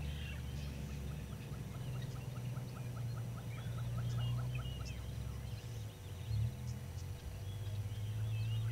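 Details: Southern yellow-billed hornbill calling at a waterhole on Djuma Game Reserve in the Sabi Sand, South Africa, early morning of 24 April 2022; quick clucking notes in a run lasting several seconds, with other birds chirping higher up and a steady low hum.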